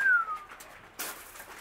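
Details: Kea (Nestor notabilis) at Zlín Zoo gives one clear, drawn-out whistle that slides downward in pitch, followed by a brief burst of rustling noise.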